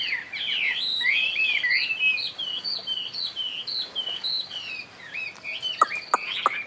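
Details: One-year caged Chinese hwamei sings looping whistled phrases, rolling up and down, then softens near the end where several sharp clicks or taps break in.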